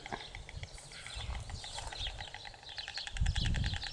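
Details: Bill-clattering of a white stork: rapid rattling clicks, growing clearer and denser toward the end, over steady low wind noise.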